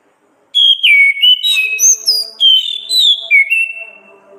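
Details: Orange-headed thrush, a caged songbird training recording in the ngeplong gacor ngriwik style: loud clear whistled phrases jumping between high and lower notes, sliding and warbling, in quick bursts after a short silence.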